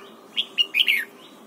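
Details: Morning song of a red-whiskered bulbul being trained to sing: a short phrase of four clear warbled notes, the last slurring downward, over a quiet steady background hum.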